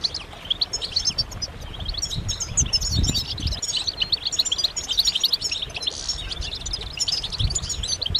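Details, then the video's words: A chorus of European goldfinches, mating and readiness calls used to get males singing: steady high twittering and liquid tinkling phrases overlapping throughout, with soft low thumps and background rumble. "بتبتات جماعية رهيبة للحسون فعالة في تحفيز الحسون على التغريد والهيجان"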